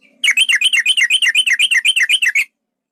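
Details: Male yellow-vented bulbul, a long-roll provoking lure used to rouse a rival to fight: a fast, even stream of bubbly, warbled notes rolling for over two seconds, then silence.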